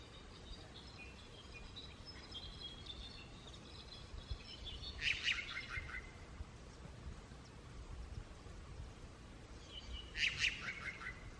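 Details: A unicolored jay in Guatemala, communicating with other members of its flock, gives two loud, harsh, ringing bursts about five seconds apart, each dropping slightly in pitch, with faint chirps from other birds over background hiss.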